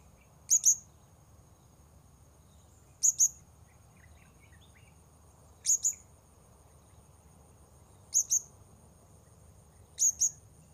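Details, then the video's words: Blue-crowned hanging parrot heard while wild birds are being lured at a new spot: very high, sharp double chirps, each pair repeated about every two and a half seconds, over a steady high whine and faint low rumble. "Memikat Serindit Di Port Baru"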